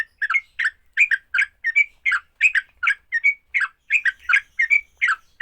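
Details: Sooty-headed bulbul with a fighting song to coax other bulbuls into singing: well-spaced, rich chortling notes, some doubled, a few ending in a thin whistled upslur.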